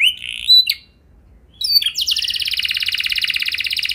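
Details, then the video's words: Canary lure song used to prompt other canaries: a short wavering whistle, a pause, then a sustained fast buzzy trill of closely packed notes. "Langsung Nyaut Gacor Dor Kenari Mana Saja Dengan Pancingan Kenari Lagu Mewah Ini"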